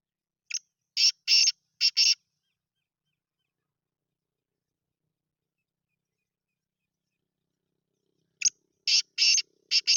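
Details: Chakri-style Sindhi grey francolin, said to give 270 calls per minute: two separate phrases of loud, harsh, clipped syllables, each of four or five notes, with a long silence between them.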